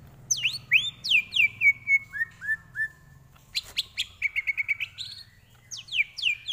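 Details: Greater green leafbird song used as a tutor recording for training. Clear whistled notes slide downward and flatten. Quick down-swept chirps follow, then a rapid run of short repeated notes and more falling whistles, with quiet low hum beneath.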